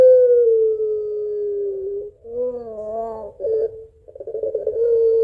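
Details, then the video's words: Barbary dove (puter pelung) giving a long call to its mate, in a style described as crying and laughing and used as a lure: a drawn-out, low, steady tone, a brief wavering break, then the long tone again. "SUARA PANJANG PUTER PELUNG GACOR MENANGIS TERTAWA MEMANGGIL PASANGANNYA"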